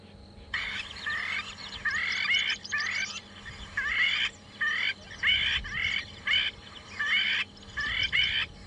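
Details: A Crowned Lapwing calls on an afternoon safari drive at Djuma and Arathusa, South Africa, on 24 November 2014. It gives loud, strident, rapidly repeated screeching notes in about eight half-second bursts over a faint hum; this call is typically heard at dusk.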